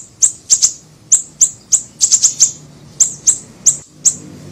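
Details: Small siri-siri bird singing as a lure: bright, very high chip notes, singly and in quick doubles or triples, repeated steadily over a faint background hiss.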